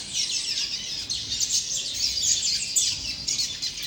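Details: Young double-collared seedeater singing a continuous, rapid, scratchy warble of high twittering notes with short buzzy trills, running without pause through the whole stretch; no other clear sounds.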